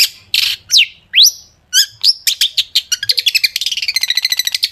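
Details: Vigorous long-tailed shrike song with sharp shot-like notes, used as a lure for other shrikes: a few harsh notes and steep rising whistles, then accelerating clicking chips building into a fast, even rattle.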